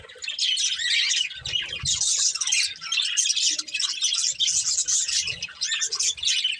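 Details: Two budgerigars of a breeding pair feeding and chirping; steady scratchy twittering chatter throughout, slightly quieter at the start, with faint low thuds.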